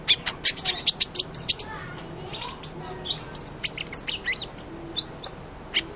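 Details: Sunbird (kolibri ninja) in continuous full song, played as a tutor for white-rumped shama: unbroken rapid sequence of very high, thin ticks and chirps with a few slurred notes.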